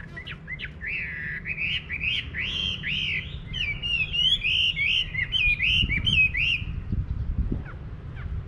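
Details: Chinese hwamei in a countryside garden singing rapid, rhythmic, slurred whistled notes that repeat in quick succession, ending abruptly. Low thumps are heard underneath.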